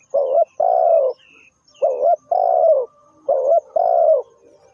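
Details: Spotted dove repeating its call three times. Each phrase pairs a brief quavering coo with a drawn-out mellow coo that sinks slightly at the end. Gaps are short and the background is quiet.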